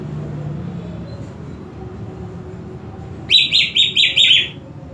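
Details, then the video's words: Greater green leafbird sound meant to provoke aggression: after several seconds of low background rumble, a burst of five rapid, high whistled notes sweeps downward, each about a fifth of a second apart. "PANCINGAN EMOSI UNTUK CUCAK IJO KURANG EMOSI"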